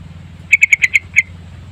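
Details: A yellow-vented bulbul's lure song delivers six crisp, bright notes in quick succession, the last slightly separated, against a soft low droning background.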